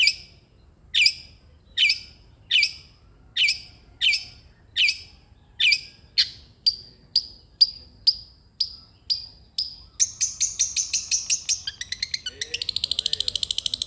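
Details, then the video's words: Long-tailed shrike song meant to coax a reluctant shrike to sing: sharp high notes repeated steadily, speeding up into a fast rattling trill and then a rapid buzzy series at the end. "irama KICAU CENDET gacor....cocok untuk pancingan/masteran cendet malas bunyi"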